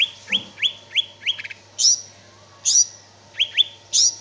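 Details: Lively gacor song of a greater green leafbird: a series of four rising whistled slurs, then louder high buzzy notes at intervals, with a faint low background hum.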